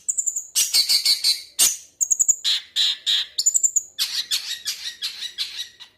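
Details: Long-tailed shrike song mixing thin high whistled notes with rapid grating chatters and harsh rasping phrases, nearly unbroken throughout.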